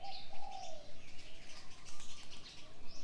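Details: Early-morning birds: a clear low cooing phrase opens, followed by scattered higher chirps and faint twittering in the background.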